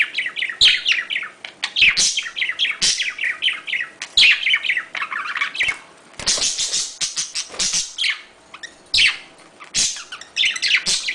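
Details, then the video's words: Budgerigars' courtship and mating calls: several birds chatter and warble in a continuous stream of rapid, scratchy chirps and bright squeaky notes, overlapping with barely a pause. "sonido de llamada de apareamiento / Cortejo de periquitos Australianos | Parakeetsmating call sounds"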